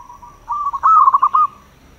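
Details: Local zebra dove song used as a lure to draw wild doves: a soft, steady coo that breaks into a quick burst of rapid, bubbling staccato notes, then fades.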